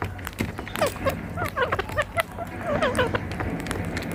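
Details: Rose-ringed parakeets sit together on a tree in India, chattering in quick clusters of short shrill chirps, several overlapping notes in two bursts, with scattered clicks and a low rumble underneath.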